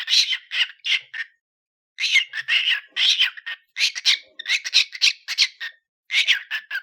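A cockatiel chatters in quick bursts of harsh, squawky syllables, like clipped mimicked speech.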